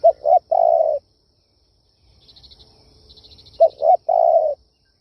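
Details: Spotted dove call billed as perfect for rousing decoy birds. Two phrases, each of two quick coos and a long falling coo, are about three and a half seconds apart. Faint high chirps and low rustling fill the gap.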